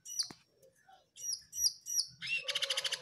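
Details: Lively song of a jongkangan bird, taped the day before the bird vanished: sharp, high chip notes repeated in a loose series, ending in a fast, even trill of bright pulses, with a quiet low hum behind.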